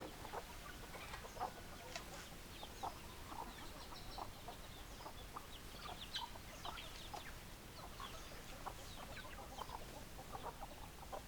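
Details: Chickens in a flock, hens clucking: short scattered clucks and brief higher notes come from many birds throughout, steady but fairly quiet over background hiss.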